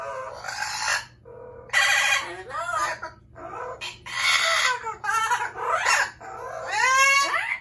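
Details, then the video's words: Pet Amazon parrots in a noisy run of rough squawks, ringing rising shrieks and talk-like garbled notes, nearly continuous over several seconds, with steady low hum. "Loud Parrots | Amazon Parrot"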